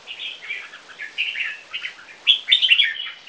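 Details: Young red-whiskered bulbuls, captive Viet-Thai crossbreeds aged three months, trade song. Soft, run-together warbled notes give way to a louder burst of sharp chirps near the end.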